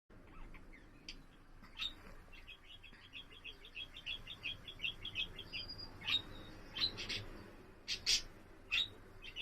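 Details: Pet budgerigar warbling, recorded on 7 April: a long run of quick, chattering chirps and clicks, broken by a few brighter, sharper notes and one short whistled tone in the middle, over a low, steady room hum.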